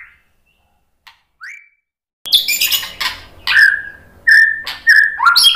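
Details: White-rumped shama song used as a lure to make other birds answer and sing: two seconds of near silence with faint notes, then loud harsh rasps mixed with clear whistled notes held level and slurred downward.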